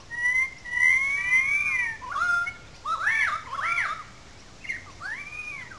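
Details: Currawongs calling out loudly in a gully above the wetlands of Sydney Park, St Peters, Sydney. Long gliding whistles lead into a run of bouncy, arched, gurgling notes, then two more swooping calls.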